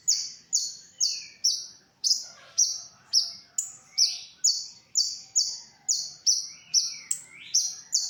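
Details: Olive-backed sunbird (konin) song used as a tutor recording for training other songbirds: a fast series of high, sharp, slightly descending notes, about two per second, with occasional lower swooping slurs.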